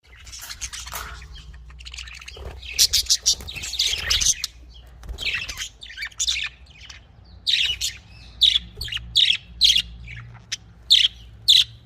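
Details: Budgerigar calls: bright, high chirps and warbled chatter in scattered bursts, dense early on, then a run of short sharp chirps about every half second toward the end, over a low steady hum.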